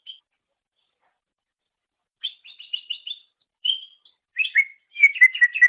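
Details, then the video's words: Greater green leafbird master song for training songbirds: after silence, a rapid trill of repeated notes, a single clear whistle, then quick chattering whistled phrases with sharp high accents. "Ocehan Suara Burung Cucak Ijo"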